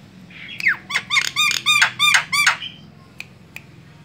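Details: A white-eyed Javan myna, used as a lure call to trigger other mynas, gives a quick run of about seven squeaky, arching notes over two seconds, then two sharp clicks, over a faint low hum.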